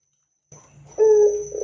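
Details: Loud Barbary dove sound meant to prompt other doves to sing. A faint low grumble leads into one strong, sustained, deep coo that sags slightly before a rougher tail. A high steady whine is present.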